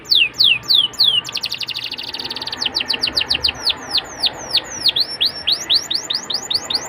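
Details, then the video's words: Canary singing to encourage young canaries to sing: a few loud falling whistles, a buzzy fast trill, then regular sharp down-slurred and V-shaped notes repeating quickly. "PANCINGAN KENARI MUDA AGAR CEPAT BUNYI DAN GACOR CENGKOK ENAK! kenari Manapun akan langsung nyaut"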